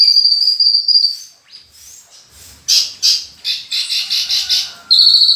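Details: Branjangan, or Horsfield's bush lark, in energetic full isian song: a long thin high whistle, then a gap and a quick series of loud chirped notes, closing on another sharp whistle.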